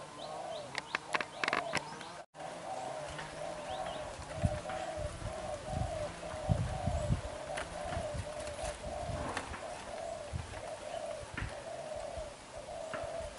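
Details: A young, black-eyed spotted dove coos vigorously and steadily, a low, soft run of repeated notes for about ten seconds. Scattered clicks and faint rustling sound in the background.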